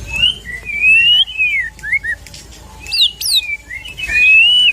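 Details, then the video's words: White-rumped shama song used to provoke a shama into singing: clear whistled phrases with long slurred notes near the middle pitch range, short rising flicks, and a couple of sharp high upswept notes. "MURAI BATU KENA MENTAL \FIGHTER KEMBALI SAAT DENGAR KICAU ISIAN INI"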